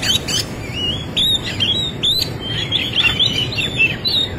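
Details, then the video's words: White-rumped shama, a fighting song with rich fill-in phrases, in a dense run of whistled and chirped notes sliding between high pitches, phrases following each other quickly over a steady low background hum. "Kacer gacor tarung isian mewah"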